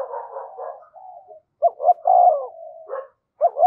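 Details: Spotted dove calling as a decoy to stir wild doves: rough, blurred low cooing at first, then a clear phrase of two short notes and a long coo trailing into a steady tone.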